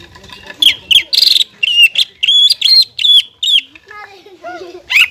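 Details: Captive greater green leafbird in full, active song, used to prompt untrained leafbirds to sing: loud, sharp whistled notes repeated in quick bursts, some sliding downward, with fainter lower chattering notes near the end.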